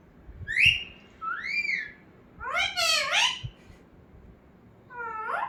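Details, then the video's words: Indoor pet parrot that talks: two arched whistles, a loud dense squawky phrase and a closing rising harmonic slur, with quiet gaps between. "Talking parrot"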